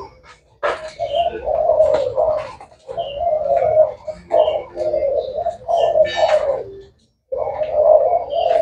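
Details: Spotted dove of the Thai black strain, kept caged and said to sing all day, delivering repeated deep, mellow coo phrases in bursts of about two seconds, separated by brief pauses, with slight room echo.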